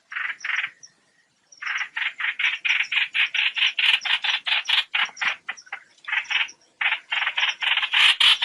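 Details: Trao trảo bird calling its flock, used as a lure for net trapping: harsh, buzzy chattering notes repeated about two per second in long runs, with short pauses between bursts.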